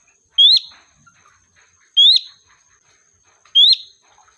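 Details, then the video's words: Sooty-headed bulbul lure sound for calling in the flock: three strong rising whistled slurs, roughly one and a half seconds apart, each clear and ringing, with faint soft clicks between and a thin steady high whine. "Suara Burung Kutilang Gacor, Pikat handal memanggil kawanan"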